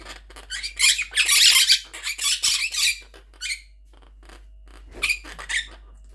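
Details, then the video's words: Angry pet Monk Parakeets (Quaker parrots) calling indoors after their nest box was taken away; a rapid run of loud, harsh screeches for about three seconds, a brief squawk, then another short raspy burst near the end. "Quaker Parrot Loud Sounds"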